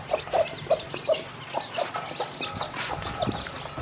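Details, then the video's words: Mother hen that hatched many chicks, teaching them to eat; short low clucks repeated about every third of a second, then a mix of high thin chick peeps and pecking sounds. "A Hen Hatched Many Chicks From Eggs And Teach Baby Chicks To Eat"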